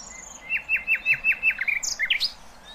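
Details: For young goldfinches and hybrids to copy, a nightingale delivers a run of about seven loud, evenly spaced, downslurred notes, followed by a quicker twittering flourish that rises into high squeaky notes.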